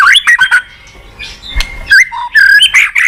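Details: White-rumped shama in lively lure song, loud whistled slurs and harsh squawky notes alternating in quick bursts, with a brief quieter gap midway.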